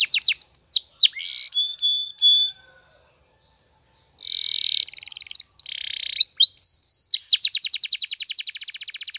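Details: A Spanish Timbrado canary, used as a training song, sings high, varied phrases of chips and whistles, pauses briefly, then ends in a fast, even rolling trill.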